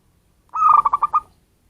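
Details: Zebra dove of local wild stock, a call meant for luring birds: one short rolling coo, a held note then a quick run of pulsed beats, clean and quiet background.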